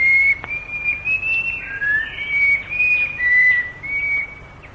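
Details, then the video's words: Plain babbler recorded in the Malaysian rainforest around the late 1950s, a long series of clear whistled notes near one pitch, each slightly rising or falling, strung together almost without pause over a quiet hiss. "later in the day the plain babler goes over to a more forceful type of song interspersed with chattering notes [Music] [Music] o [Music] [Music] [Music] I d I"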